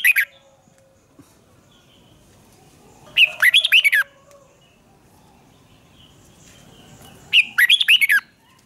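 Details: Red-whiskered bulbul singing in a duel, loud clustered phrases of bright rising chirps about every four seconds against near silence.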